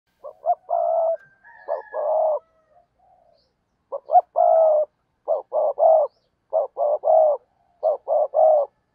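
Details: Spotted dove kept as a decoy to lure wild doves, cooing steadily: low hollow phrases of two or three notes, the last note longest, repeated about every second after a brief pause near three seconds; no other clear sounds.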